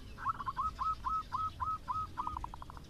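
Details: Local zebra dove song used to coax reluctant doves into singing: a fainter, distant-sounding series of about ten short hooked cooing notes, evenly spaced, over low background rumble.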